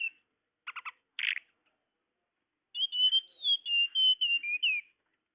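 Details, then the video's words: Tledekan bird lure: a few harsh, rapid buzzy chatter notes, then a long run of clear high whistles that slide up and down and ease lower toward the end. "Suara pikat burung tledekan"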